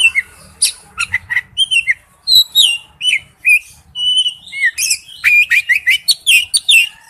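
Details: Male oriental magpie-robin calls a female with a varied stream of clear whistles, slurred notes and quick chirps, growing denser and faster toward the end; faint low hum beneath.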